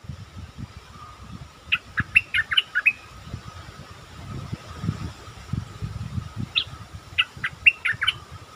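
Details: Stripe-throated bulbul lure song from a caged bird: two quick, chirpy phrases of several sharp notes, partly masked by a continuous low rumbling noise and a steady hum.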